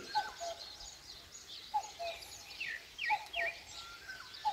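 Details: At dawn in the countryside of Korea, a common cuckoo repeats its low two-note cuck-oo, the second note lower, about four times, mixed with high thin downslurred chirps from other birds and background hiss.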